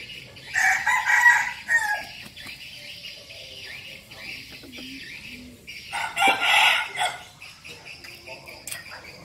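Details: Red junglefowl used as a decoy bird, held captive in Bình Phước, Vietnam, gives a harsh, abrupt crow, then later a second crow, with rustling and faint low sounds between.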